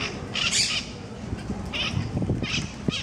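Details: Monk parakeets fighting over food in Parc de la Ciutadella, Barcelona, Spain, with mitred parakeets squawking in the trees above: harsh, broadband squawks in short bursts near the start, then again around two and three seconds, over low park rumble.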